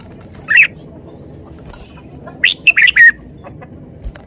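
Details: Red-whiskered bulbul: one lone whistled note, a pause, then a tight burst of three or four slurred, bright notes, set against low steady background noise.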